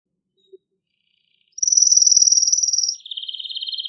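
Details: Male canary singing strongly and excitedly to stimulate canaries to mate: after a brief quiet start, a fast, high, even trill of rapid repeated notes runs for about 1.5 seconds, then drops into a slightly lower buzzy trill.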